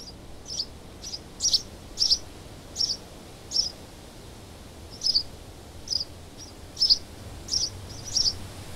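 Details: House sparrow in Southeast Ohio giving short, high chirps repeated roughly every half to one second, about a dozen in total, over a quiet, steady background hiss.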